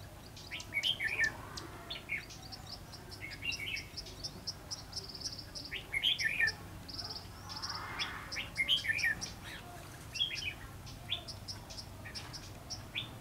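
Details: Red-whiskered bulbul recorded while trapping wild bulbuls on 22 February 2016; sharp, sweet chirped phrases every few seconds, with a thin high buzzing chorus and other small birds twittering in the background.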